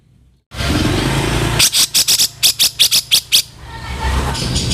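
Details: Grey-cheeked bulbul harsh 'kasaran' calling used to train cage birds: a short cluster of about ten grating notes, some paired, over a constant hiss and low hum.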